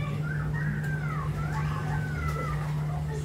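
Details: Pet crested myna at home in the Philippines, a mimic bird, giving sliding whistled chirps that swoop up and down, some falling in long glides, over a steady low electrical hum in a small room.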